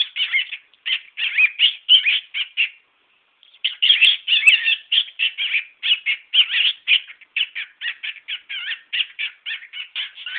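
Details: A male cockatiel kept as a pet shows off his repertoire in a long stream of scratchy, quick chirps and warbles, with one short break early on.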